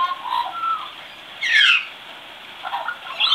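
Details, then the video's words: Young magpie practising its singing; soft warbled phrases with a brighter scratchy burst in the middle and quieter chattering notes, spaced by short pauses. "Baby Magpie Practicing Singing"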